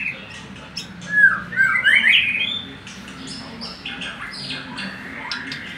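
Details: Oriental magpie-robin in loud, continuous song: rapid bursts of scratchy squawks and twisting whistles, then quicker clicking notes, against a low hum.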